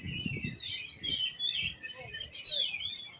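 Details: Oriental magpie-robin kept as an Indonesian songbird, giving varied whistled and scratchy phrases that rise and fall, over low rumbling background noise.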